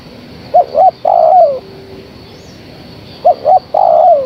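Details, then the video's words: Female spotted dove summoning a male: two phrases, each of two quick hollow coos followed by a longer coo that slides lower, separated by a pause of about two seconds. A faint steady hum is heard. "Suara Tekukur Betina Gacor Memanggil Sang Jantan"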